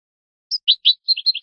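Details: A brief European goldfinch phrase from a song-teaching recording for young birds: a thin high note followed by a quick string of liquid, bubbly chirps alternating higher and lower.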